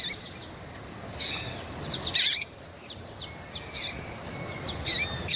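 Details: Female Double-collared seedeater calling to rouse males: scattered high chips and a few louder buzzy peeps over a faint thin whistle.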